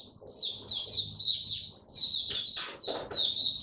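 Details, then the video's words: An Oriental white-eye, on its first day back to singing, sings a fast, continuous run of high, thin twittering notes, with brief pauses and softer chips between phrases. "Mata Puteh Buka Sing"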